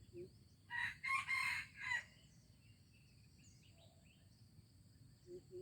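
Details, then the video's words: Junglefowl from Aceh, 25 April 2020, crowing a coarse four-note phrase over about a second and a half, with soft low clucks before and after and faint high twittering behind. "Ayam Hutan Aceh"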